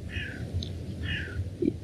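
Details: A gull, probably, gives two thin, mewing calls about a second apart, each sliding downward, over a low outdoor rumble with faint voices, in Greece among cypress and olive trees.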